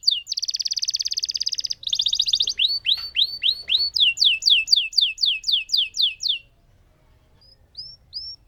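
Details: Lemon canary performing a long roll: a fast buzzy trill, rising whistled notes, then quick downslurred notes about four per second, trailing off into a few soft notes.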